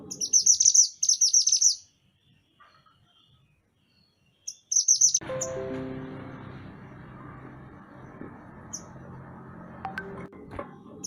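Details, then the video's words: Mantenan gunung songbird, a lively training recording for other cage songbirds: two bursts of very high, rapid, buzzy chirping trills at the start and midway, then quiet with low background hum and faint clicks. "Mantenan Gunung Gacor Burung Masteran Untuk Burung Kicau"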